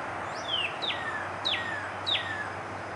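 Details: Cardinal giving four clear whistled notes, each sliding steeply downward from high to mid pitch, spaced about every half second over steady low background hiss.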